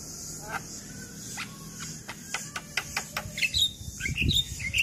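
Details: Javan myna tutor song for lazy young mynas: a string of sharp clicking ticks speeding up, followed by high squeaky whistles and buzzy notes near the end.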